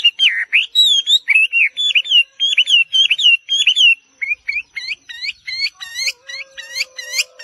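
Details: Chinese hwamei song: rapid run of loud slurred whistles, shifting into quick rising upward-sweeping notes, with a faint steady tone in the background.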